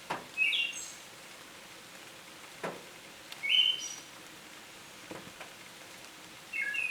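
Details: Short fluty phrases from a Siberian thrush, recorded in Tohoku, Japan, on 21 July 2020, each ending in a high, thin note, about every three seconds amid broadband ambient hiss and occasional clicks.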